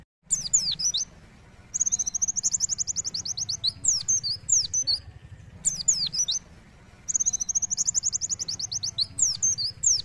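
Oriental white-eye singing: very high, sweet twittering phrases that break into a long, fast, sharp trill, the whole sequence given twice over a faint low hum.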